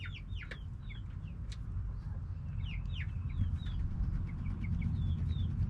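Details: Backyard hens and roosters making a lot of noise: a run of high, short, downslurred peeping notes, irregular and overlapping, over a steady low rumble.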